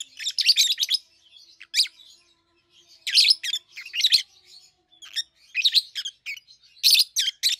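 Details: Two peach-faced lovebirds hatched and raised at home, red-headed green opaline and red-faced dark green, 7-8 months old; dense bursts of shrill, screechy chattering chirps alternating with brief lulls.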